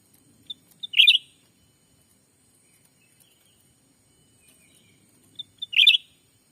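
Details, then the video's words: Black-capped bulbul luring wild birds in the forests of Sumatra: high introductory pips followed by a compact, rich warbled flourish, given twice about five seconds apart in otherwise quiet surroundings. "suara asli pikat cucak ranting anti jong yang liar pasti dijamin langsung datang"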